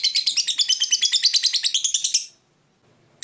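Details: Fighter lovebird in a long ngekek run, a song that provokes rival birds to answer. A rapid, rasping chatter of even pulses lasts about two seconds, stops abruptly, and a fresh burst begins after a short silence.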